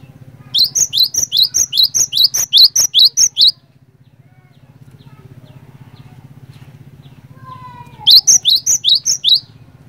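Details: Cinereous tit singing vigorously as a lure for other tits. A long run of about a dozen upslurred whistles, roughly two per second, is followed by a pause and then another burst. A low hum runs beneath.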